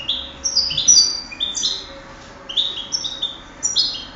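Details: Singing-contest European goldfinch, 2008, giving lively high-pitched twittering, short slurred notes and tinkling trills in quick, uneven succession, with a soft steady background hum.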